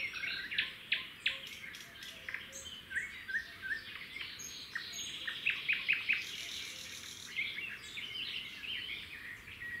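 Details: Red-backed shrike pair at a wild nest beside a road as the male hands over a grasshopper and the female feeds the chicks. Sharp clicking chirps come in rapid irregular bursts, mixed with high twittering from other birds.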